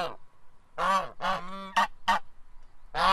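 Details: Goose honking on a farm: a string of strong, harmonic nasal calls, two longer blaring honks followed by shorter clipped ones and a final loud honk, closely spaced.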